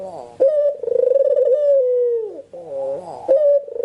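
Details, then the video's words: Spotted dove used to lure birds, cooing indoors: an abrupt clear note leads into a long tremulous coo that sinks and fades, then a lower bent phrase and a fresh sharp coo. "Pancingan Burung Puter Gacor"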